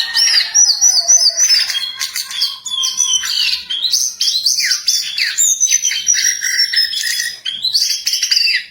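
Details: Wild jongkangan singing busily, a rapid stream of overlapping chirps, slurred whistles and twittering notes, high-pitched and continuous throughout.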